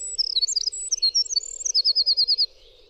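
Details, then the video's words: Winter wren, clear song used as a tutor recording: high rapid twitters leading into an even trill of about eight repeated piercing notes, then stopping, with faint steady hum below. "suara masteran semua jenis burung jernih suara winter wren"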